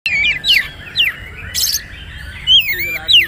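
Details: Oriental magpie-robin singing in the poci trotol style as a tutor recording for birds: slurred whistled notes swooping between high and mid pitch, given in short bursts about every half second, with a sharp burst of hiss midway.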